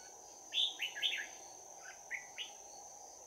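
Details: Bell-voiced Red-whiskered bulbul used as a decoy to trap wild birds, singing its fighting song on 11 January 2019: a loud run of three rich warbled notes, then softer scattered chirps, over a continuous high-pitched insect background.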